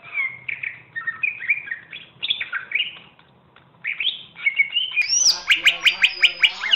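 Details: Cucak ijo, or greater green leafbird, a champion bird used for song training, gives varied whistled phrases and chattering slurs, then a pause, then a harsher, repeated ringing series of rhythmic notes at the end.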